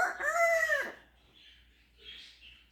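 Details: Captive African grey parrot imitating a rooster's crow: a harmonic, rising then falling crowing phrase lasting under a second, followed by faint softer chirps; laughter and music nearby.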